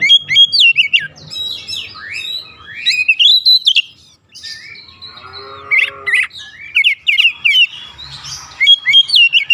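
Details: Excited oriental magpie-robin pouring out rich, varied whistled phrases that slide up and down, mixed with scratchy chatter and brief harsh notes, with a short quiet gap midway and faint low background noise.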